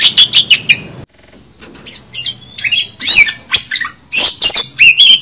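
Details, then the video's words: Oriental magpie-robin in a fight with its tail fanned: a run of short squeaky notes, a second of near-silence, then whistled slurs and harsh chattering bursts return in quick succession. "kacer Gacor ngobra, kacer buka ekor, kacer gacor tarung"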